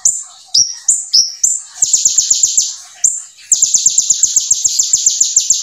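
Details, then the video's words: Konin, the brown-throated sunbird, in full song with borrowed ciblek material. Four sharp slurred high whistles open the song, then a long fast rattling trill. A short pause follows, then another dense trill. The sound is clean, with no background. "KONIN GACOR FULL NEMBAK MATERI BREM CIBLEK"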